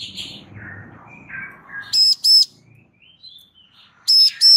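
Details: Female Bar-winged prinia calling for a male to answer: sharp, nasal, harmonic double notes heard twice, separated by quieter whistles and chirps, with faint low rumbling background noise at the start.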